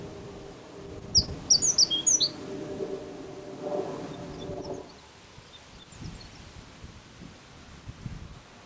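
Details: Japanese reed bunting singing at Ukishima, Ibaraki Prefecture, Japan. It gives a short phrase of high, sharp chirped notes in quick succession, followed by a fainter repeat against a low outdoor hum and rustling.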